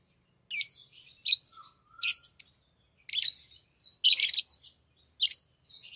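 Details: Tame pet lovebirds playing with rings give sharp, shrill high chirps in short bursts, some buzzy and scratchy, with brief pauses between, plus one soft lower whistle near the middle; no other sounds.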